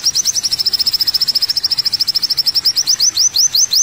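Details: Fast, high-pitched chattering from an olive-backed sunbird on a training recording for songbirds. A dense stream of short clipped notes gives way to a few slower, rising, hooked chirps.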